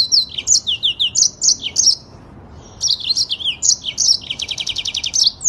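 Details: Master-audio song of a yellow-fronted canary, rolling and fast: quick high whistled notes in short runs, a brief silence around two seconds, then more whistles ending in a rattling trill.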